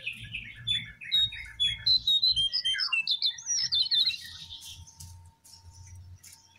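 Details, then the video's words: Babbler called Jongkangan or Cingcoang coklat, recorded in the wild: descending chirped notes quicken into a busy chatter of sharp high calls, then fade over a low hum. "Burung Jongkangan /Cingcoang coklat Di alam Liar"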